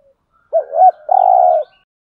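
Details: Spotted dove lure call, mixing male and female voices, used to stir wild doves into cooing back: two short throaty coos followed by a longer, level, purring coo, then silence.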